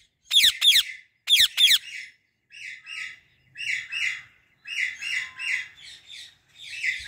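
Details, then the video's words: In a fully bloomed apple tree, a female Indian ringneck parrot gives four loud, shrill, falling screeches in two pairs, followed by a string of softer, nasal, paired chatter notes. "Female Indian Ringneck Parrot Natural Voice | Natural Parrot Sounds and Calls"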